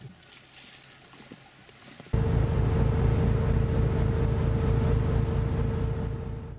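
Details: A quiet outdoor hush gives way abruptly to the loud, steady drone and hum of a boat engine, with no animal voices.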